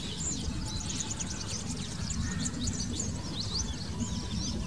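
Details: Purple sunbird in eclipse plumage singing a rapid stream of thin, high twitters and sharp chips without pause, over a steady low rumble of background noise.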